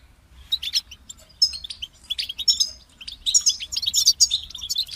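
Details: Goldfinch song building from scattered high twitters into dense, rapid, tinkling chatter with buzzy trills, growing louder in the second half.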